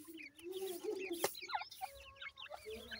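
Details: Grey francolin chicks at feeding time, calling with short, high, slurred peeps in a rapid, irregular chatter. A low steady hum runs underneath, and a sharp click sounds near the middle.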